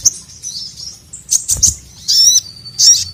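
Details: Sogon calling a male for training quiet birds; scattered high chips and thin whistles build to two dense bursts of rapid bright twittering, with a soft knock in between.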